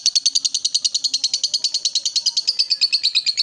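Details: Lovebird ngekek chatter, the bird roused to call: a continuous high, grating rattle of quick even pulses, loud and unbroken for the whole stretch.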